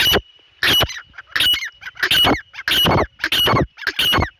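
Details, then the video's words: Grey francolin, called dahkni teetar, calling loudly: harsh, strident bursts repeated about every two-thirds of a second, each a raucous broadband note with a ringing overtone, seven bursts in quick succession, with a faint steady tone behind. "Dahkni Teetar Sound | Dahkni Teetar Ki Awaz | Dahkni Teetar Voice | Dahkni Teetar Ki Boli"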